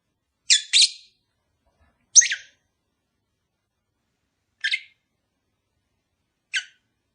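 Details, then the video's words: Pet lovebird pair, not yet mated, giving calls meant to encourage mating: a shrill double screech followed by single sharp high chirps every two seconds in a quiet setting. "Cara ampuh untuk memikat sepasang burung agar cepat kawin"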